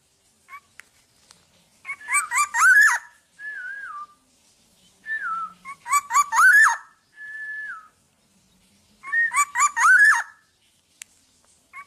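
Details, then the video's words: Uncaged, tame black-naped oriole singing freely: three bursts of quick, looping fluty notes, each followed by a drawn-out whistle that falls at the end, repeated about every four seconds. Faint clicks between phrases. "BURUNG KEPODANG TANPA SANGKAR GACOR DAN JINAK"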